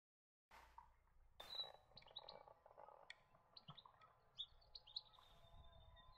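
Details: European goldfinch giving short, bright twittering notes, some rising or falling, scattered from the first second to the end, over a low steady hum and a couple of broad knocking noises near the start.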